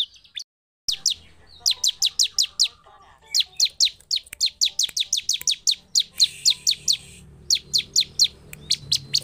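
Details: Bar-winged prinia, ciblek, in provocative gacor song: fast bursts of piercing high chips separated by short gaps, after a sudden silent break near the start.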